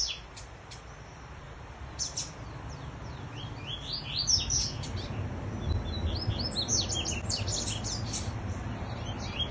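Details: A distinctive double-collared seedeater competes in song with a free-flying one, the birds trading fast, high twittering phrases of sharp chirps and slurred notes, several a second, over a low steady rumble.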